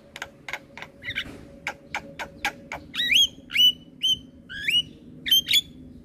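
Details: Caged Javan myna used as a master song: a series of dry clicks, then loud rising whistled upslurs repeated roughly every half second, over a steady low hum.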